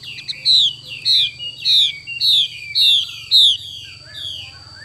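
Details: Chinese hwamei female delivering the 'xùy' call, a run of seven bright descending whistles about every half second, fading into softer trailing notes. A faint steady high hum accompanies it.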